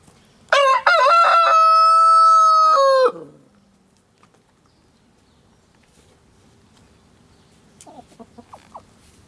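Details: Village rooster crowing loudly: a few choppy opening notes, then one long sustained harmonic-rich note that drops at the end, followed by quiet rural background and a few faint clucks near the end.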